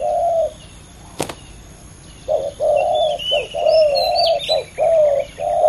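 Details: Two male spotted doves in a fierce cooing contest, giving low, hollow cooing notes in quick uneven bursts, answering each other, with a faint higher chirping above.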